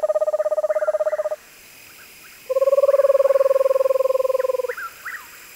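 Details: Screech owl with two long, even, purring trills, each a rapid run of identical pulses on one pitch, separated by a quiet gap. Faint higher falling notes are heard between and after them.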